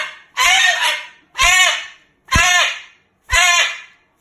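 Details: Loud, angry Moluccan cockatoo cursing at its owner. Four harsh, hoarse, shouted bursts come roughly once per second, each starting abruptly and fading out.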